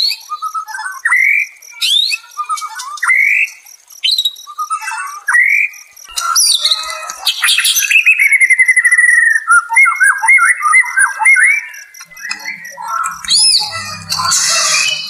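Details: White-rumped shama song for calming a stressed, mentally dropped caged bird: a series of rising whistled notes, then rapid rattling trills and varied chattering phrases, with a faint low rumble near the end.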